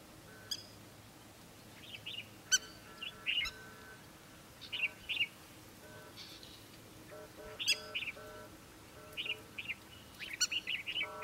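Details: A citrine wagtail in Israel gives short, harsh, buzzy chirps, single or in quick pairs, every second or two, over a faint steady background hum.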